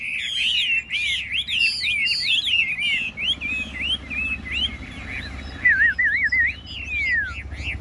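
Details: Chinese hwamei kept caged and singing at a rack contest in Vietnam, pouring out loud, fast, looping whistled phrases that twist up and down. A long, descending slurred whistle closes the run, with a faint low rumble beneath.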